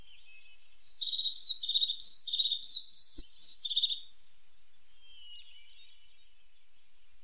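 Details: A pointed tit delivers about four seconds of high slurred falling whistles and buzzy trills at a quick pace. Near-silence follows, with only faint distant thin notes.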